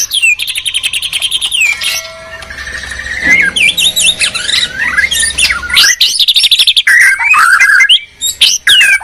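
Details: White-rumped shamas from Medan and Borneo sing against each other in a duel. Fast repeated chips open the passage, then a quieter stretch with a faint low hum, then a dense burst of swooping whistles and harsh squawky notes.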